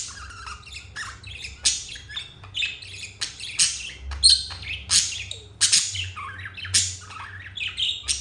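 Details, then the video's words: Two pet budgerigars, turquoise and jade, chirping in a happy mood: dense bursts of bright, scratchy chirps and warbles, irregular and rapid, with short squawks between, over a faint low hum indoors. "Budgies happy moment"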